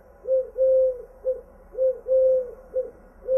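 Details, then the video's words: Wild pigeon in nature giving clear, hollow, steady-pitched coos in a short-long-short pattern that repeats twice, each note smooth and flat, with near silence between. "صوت الحمام البري الهديل"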